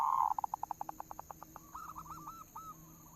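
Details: Zebra dove lure song (pancingan perkutut lokal): a brief loud opening note breaks into about fifteen quick, fading staccato pulses, followed by a string of hooked, wavering coos.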